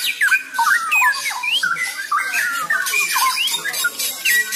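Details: Mature mated pair of straw-headed bulbuls singing together, loud bubbling whistled phrases sliding between low and high notes, overlapping and tumbling continuously, with faint background noise.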